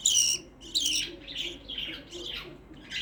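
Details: Chirping from a lone pet black-face budgerigar: a few high, scratchy tweets run together in quick succession, loudest at the start, then softer rippling notes over faint background hiss.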